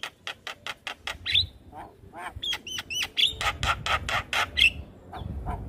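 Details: Javan myna song for training young mynas to sing: evenly spaced sharp clicks at the start, then whistled downslurred notes, buzzy harsh bursts and squeaky whistles in a busy, irregular sequence.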